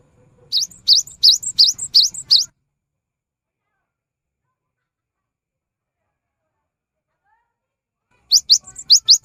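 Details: Cinereous tit pouring out a fast phrase of six upslurred high whistles, falling silent for several seconds, then resuming with four more identical rising notes.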